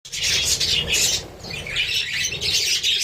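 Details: Budgerigars giving busy, high-pitched warbling chatter in two dense bursts separated by a brief quieter gap, with a faint low rumble underneath.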